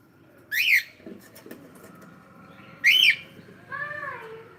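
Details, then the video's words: Cockatiel giving two loud arched screeching calls about two seconds apart, followed by a softer wavering whistle, with faint indoor background noise. "cute Cockatiel sound"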